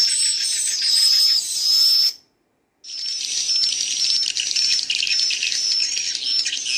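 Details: Swiftlet chicks heard with adult birds: dense, high-pitched buzzy twittering and thin sustained whistles, cut by a short silence after two seconds, then resuming as a steady shimmering chorus to the end.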